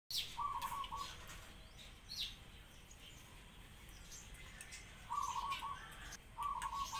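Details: Pigeons crying alongside sparrows: three short, rough, buzzing bursts at mid pitch, each about half a second, over steady chirping of sparrows and faint background hiss.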